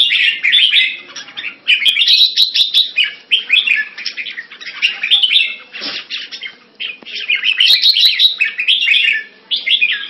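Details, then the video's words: Caged red-whiskered bulbul kept Thai style in Singapore, recorded 14 February 2018: dense, bright warbled phrases, chirpy and slurred, tumbling one after another almost without pause, with sharp clicks between them. "สิงคโปร์เลี้ยง นกหัวจุก - Singapore play Jambuls Thai style"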